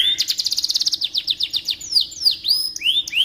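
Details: Canary singing as tutor song for magpie-robins: a long rapid trill of repeated notes sliding downward, then sweeping whistled slurs and rising upslurred notes, over a faint constant low hum.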